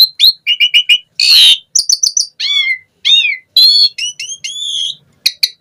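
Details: Asian pied starling song meant to stimulate other starlings: quick clicking notes, a harsh rasp, clear whistled downslurs and long level whistles, delivered in rapid varied phrases.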